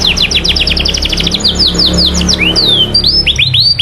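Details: Canary song used as a lure to rouse other canaries to sing: quick rattling trill of falling notes, then longer looping whistles and rising slurs, over a low background rumble.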